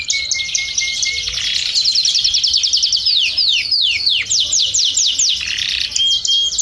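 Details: Belgian canary song: a dense, high warbled run opening with a thin whistled note, then quick repeated descending slurs about three per second, ending with another clear whistle.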